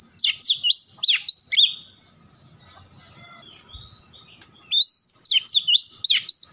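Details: Song used as a lure to make Oriental magpie-robins sing: rich, rapid whistled notes bending up and down, a quiet stretch of about two and a half seconds, then another fast, varied burst.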